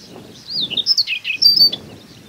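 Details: Siberian rubythroat singing in Hokkaido grassland in May–June, recorded with a Nikon Coolpix P950: a short burst of high, varied, twisting whistles and warbled notes, with faint low background rumble.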